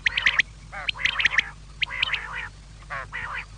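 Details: Quail calls for the evening: bursts of quick, scratchy clicking notes mixed with short nasal, buzzy chatters, coming in uneven clusters about once a second, with no other clear sounds.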